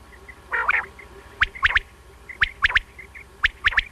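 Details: Single male common quail, known locally as batair, calling: a short three-note phrase of sharp, clipped notes repeated about once a second, with a softer, rougher sound before the first phrase.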